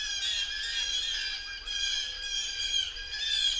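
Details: Blue jay in a forest, giving a steady run of harsh, nasal, buzzy calls rich in overtones, blending almost without pause over several seconds, with a quiet background.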